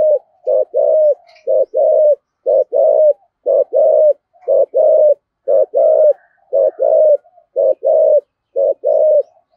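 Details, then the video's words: Spotted dove kept as a decoy bird, cooing continuously in the 'thổ' voice style called 'thúc gù': deep, mellow two-part coos, a brief note then a drawn-out one, repeated roughly every second in an even rhythm. "Chim Cu Mồi/ cu gáy giọng thổ thúc gù"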